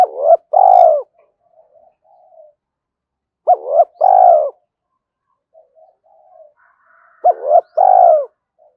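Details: Spotted dove giving repeated calls meant to stimulate decoy doves, the gáy thúc and gáy gọi styles; three low phrases about every three and a half seconds, each a quick note and a long coo, with soft murmurs between.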